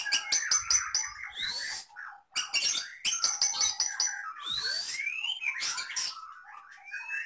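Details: Medan white-rumped shama in a cage pours out song imitating lovebird, canary and cililin: dense scratchy chatter in rapid bursts, interrupted by brief pauses, with swooping whistles and squeaky slurred notes.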